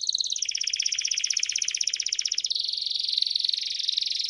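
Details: Timbrado canary singing to train young birds: a rapid, even high trill that switches abruptly at midpoint into a denser, smoother rolling tour.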